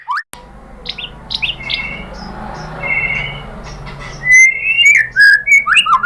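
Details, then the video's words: White-rumped shama song meant to provoke other shamas into singing: scattered short whistles and chirps over a hissing background, then loud clear whistled phrases swooping downward near the end. "MURAI BATU APAPUN SPONTAN NYAUT ¦ PANCINGAN MURAI ¦ SHAMA BIRD"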